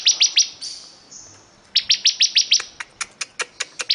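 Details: Ciblek kristal (bar-winged prinia) in lively song: a few sharp chirps, a drawn-out high whistle, then a fast chain of clipped notes that ends with softer, more spaced ticks.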